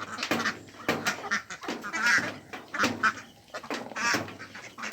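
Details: Mallards, Mandarin ducks and Pekin ducks gathered on a pond give short, harsh quacks in irregular bursts, separated by brief quieter gaps with background splashing noise.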